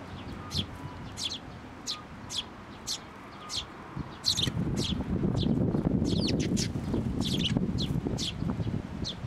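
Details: Parent sparrow, arriving for food and abruptly turning aggressive, at a Tenmangu shrine, 16 May 2024: a steady run of short high chirps about every half second, then a burst of overlapping chirps amid loud low rustling noise.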